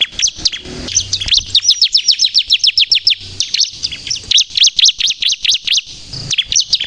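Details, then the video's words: Bar-winged prinia in full voice, crystal-style song used to lure and trap birds and to provoke young birds into agitated singing: long, fast runs of high, downward-slurred notes, about four each second, broken by brief gaps. "suara burung ciblek kristal gacor untuk pikat dan pancingan ciblek bahan agar bunyi emosi"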